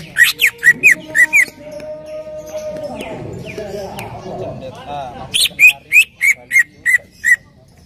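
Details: Lure song of a greater green leafbird, used to get another leafbird singing: bursts of clipped, downslurred whistled notes, several per second, separated by a pause filled with low murmuring and a soft background voice.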